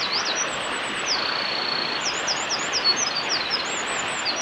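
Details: A Eurasian wren sings a loud, very high, rapid song of quick trills and a long ringing note over a steady rush of stream water, in Hyuga Valley, Japan, on 27 March 2020.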